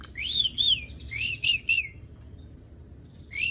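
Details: Asian pied starling singing to draw silent starlings into song: a handful of bright, arching whistled notes in two short bursts, then a pause and one more whistle.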